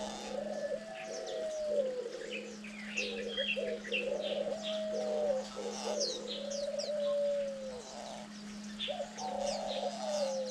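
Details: Diamond dove parent giving soft, low, drawn-out coos, several a few seconds long, some sliding down at the end, during chick rearing on day 9 as both parents compete to feed the young, over busy high chirping from small birds and a steady hum.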